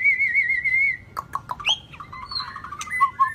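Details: White-rumped shama of the shrimp-tail type in "rít thuốc lào" style song: a long wavering whistle, sharp clicks, then a jumble of lower, chattering whistled notes.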